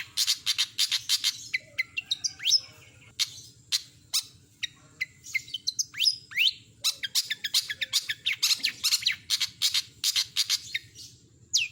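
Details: Long-tailed shrike (cendet) chattering through a complete mimicry repertoire: long fast bursts of crisp ticking and chattering notes interspersed with rising whistles and short pauses, loud and clear with a faint low background hum.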